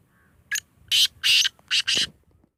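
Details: Kept grey francolin (teetar) from Sindh calling: a short grating note, then four longer harsh rasping bursts in quick succession against a quiet background.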